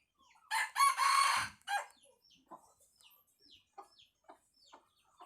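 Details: Red junglefowl gives a full crow: two short hoarse opening notes, then a long, strained, harmonic-rich note held for about a second. It ends with a brief tail note, followed by scattered small-bird chirps in the quiet background.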